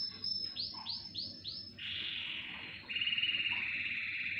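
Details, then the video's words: Canary chorus. Four separate downward-swooping notes come in quick succession, followed by a buzzy trill and then a louder, pulsing rolled trill. "Хор канареек. Пение."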